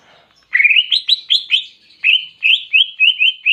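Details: Greater green leafbird (cucak ijo) singing a clear song filled with canary imitations: after a brief quiet start, a rapid series of bright, rising, slurred whistled notes, repeated about three times per second in two bursts.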